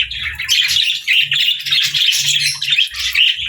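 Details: Playful caged budgerigars, housed with lovebirds, chatter in quick, high chirps and warbled twitters. The notes come in near-continuous bursts with brief dips in between.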